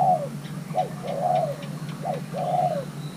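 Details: Thai-hybrid spotted dove, a young male being paired, coos rhythmically: brief sharp notes alternating with longer mellow coos that sag at the end, roughly three phrases in three seconds, with low hum behind.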